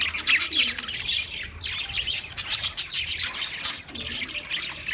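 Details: Budgerigar singing, recorded 14 March 2024, with bursts of fast chirps and squawky warbled notes, several pulses per second, pausing briefly between bursts.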